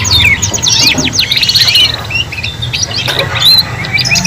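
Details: Learning canaries, young birds singing in a group of three: fast sweeping whistled notes and rattling trills at the start, then scattered sharp chirps and a clear upslurred whistle, over low background noise.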